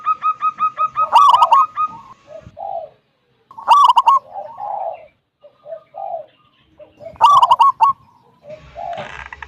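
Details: A local wild zebra dove, whose song is used to lure other zebra doves into singing, sings three phrases, each a quick stutter of clipped notes sliding into soft rolling coos, repeated about every three seconds.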